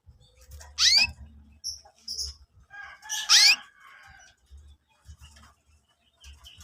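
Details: Young canaries used as lure material for training canaries: two loud rising chirps about three seconds apart with short high twitters between them, over a faint low hum.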